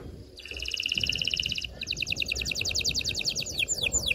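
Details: Canary singing to excite females and males for mating: a fast even trill of high pulses, then a slower repeated series and a few downward sweeps, with a low background hum.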